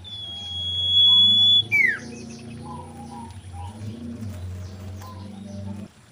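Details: Mating song of a female common iora: a long, pure, level whistle breaking into a swift downward-sweeping note, then quiet scattered twitters over low hum.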